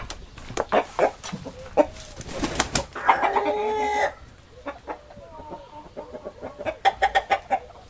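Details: Domestic chickens clucking in a series of short, rough notes, with a longer, harmonic, drawn-out squawk partway through, then quicker clucks again.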